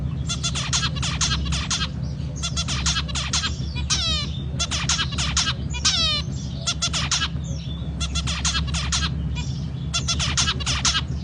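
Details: Zebra finch singing continuously: bursts of rapid, harsh nasal notes repeated in quick series, broken by two falling sweeping notes, with a steady low hum underneath.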